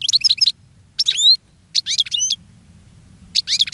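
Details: Caged European goldfinch singing to attract other goldfinches: four quick bursts of bright, high twittering with tinkling, upward-swept notes, each under half a second, separated by short silences; low background hum.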